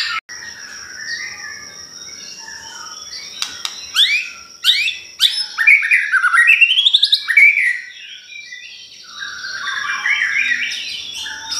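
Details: White-rumped shama song used as a lure for other birds: quiet warbles, then a rapid run of sharp rising notes and chattering trills, ending in softer phrases; a constant high tone runs throughout.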